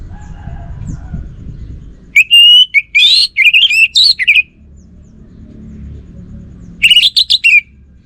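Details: Orange-headed thrush in full song: a long phrase of mixed clear whistles, trills and fluttering notes, then a pause and a second shorter rich phrase, against soft low rumbling noise.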